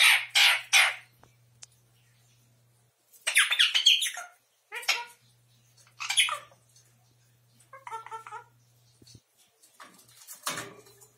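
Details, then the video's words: Indian ringneck (rose-ringed) parakeet Midori, 11 months old and just starting to talk, gives harsh raspy squawks in short bursts and a clipped voice-like phrase, saying "птичка" ("birdie") in Russian, over a faint low hum. "Ожереловый попугай говорит "птичка" / Indian ringneck parakeet says "birdie" in Russian"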